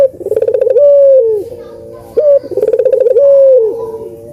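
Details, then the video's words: Lure recording of spotted dove song for lazy birds: twice, a rapid beaded series of pulsing notes swells into a long sustained coo that slides down at its close, with a short rising note between the phrases. "COCOK BUAT PANCINGAN BURUNG PUTER YANG MALAS BUNYI"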